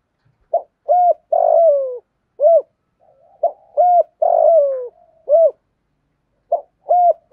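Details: Spotted dove giving a full calling and cooing sequence used to stimulate other doves: short hooted coos alternating with longer falling purred notes, in groups separated by brief pauses, a quiet indoor setting.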